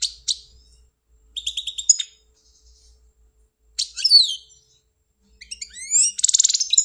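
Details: European goldfinch from Algeria kept as a pet, singing separate phrases of quick chirps, rising slurred notes and a closing buzzy, rattling trill.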